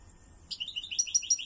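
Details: Loud song of a kept European goldfinch: a quick run of high, liquid twittered notes, about seven evenly spaced chirps within a second, clean with little background.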